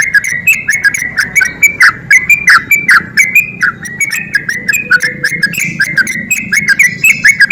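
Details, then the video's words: Excited sooty-headed bulbul pouring out ropel-style song as a provoking lure: quick, evenly running whistled notes, some dipping downward, punctuated by crisp clicks, with a steady low background murmur. "SUARA TRUCUK GACOR EMOSI TINGGI PANCINGAN TRUCUKAN MALAS ROPEL"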